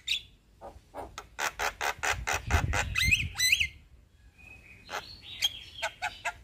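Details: Singing male Javan myna in a long rolling sequence: a steady run of rapid harsh chacks with a low rumble beneath, two rising whistled notes, then sparse sharp clicks and a thin whistle.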